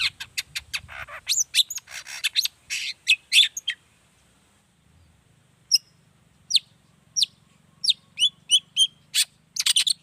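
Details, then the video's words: Lively long-tailed shrike song, meant to draw replies from other shrikes; a fast run of dry clicking and rasping notes, a brief pause, then spaced sharp downslurred whistles gathering into a quick chatter. "Suara Cendet Gacor Pagi Siang Sore Biangnya Bikin Cendet Manapun Nyaut Emosi Ikutan Bunyi"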